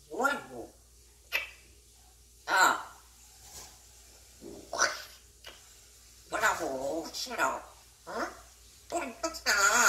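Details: Grey parrot mumbling speech-like phrases to itself, some words pretty and some not, the sounds unclear; scattered short bursts of warbling, speech-like syllables with pauses between them, indoors.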